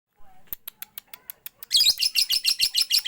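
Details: Lovebird in full 'siren' song: a few sharp dry clicks at first, then a sudden loud stream of rapid high chattering notes pulsing about four times a second.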